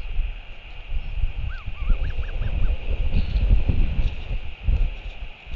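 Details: Royal albatross in New Zealand at 7:58 pm on 28 March 2023, with the adult male coming home to feed its chick: five short, rising-falling whistled notes in a tight series, half buried in strong gusting wind.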